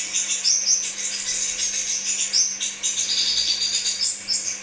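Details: Crimson sunbird song for pancingan lure therapy: dense, high-pitched twittering, almost continuous with quick chirps layered over one another, and a steady low electrical hum beneath.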